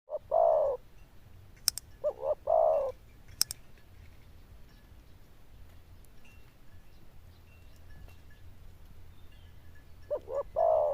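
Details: Zebra dove with a loud, bell-like voice and fine cooing: two short bursts of two or three low, rich coos at the start and end, a quiet gap between with a few sharp ticks and a low hum.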